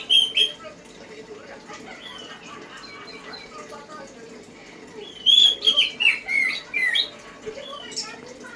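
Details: Orange-headed thrush giving a loud opening whistle, then soft twittering, then a rich run of warbled, rising and falling whistled notes.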